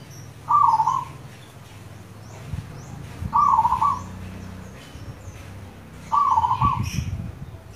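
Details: Three trilled, rolling coos from a local zebra dove, roughly every three seconds, over a low rumbling background, recorded as lure audio for caged doves.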